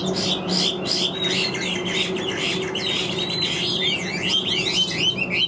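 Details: Caged Chinese hwamei singing tirelessly with an even voice: varied whistled phrases over a steady low hum, with harsher buzzy bursts at the start.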